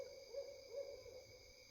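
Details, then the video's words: Owl hooting in the dark at night near water. Another owl is calling back from a distance. A low, mellow hoot wavers slightly and lasts over a second, above a steady high drone of insects. "HOOT OWL Calling Out Of The Dark Night"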